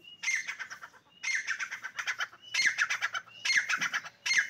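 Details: Partridge calling during a fight in a Saraiki-speaking area: harsh, grating notes in rapid bursts of several syllables, with short pauses between bursts and a thin whistle before some bursts.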